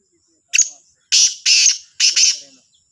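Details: Morning calling of a black francolin, Sahiwal, 18/09/22: a brief rasping opener followed by three drawn-out, harsh, scratchy notes, the final one double-pulsed, over a quiet background.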